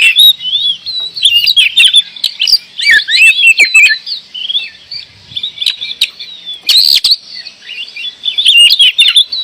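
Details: Kacer, the oriental magpie-robin, singing gacor: a continuous rapid stream of high whistled slurs and twittering notes, with brief gaps and sharp clicks scattered through.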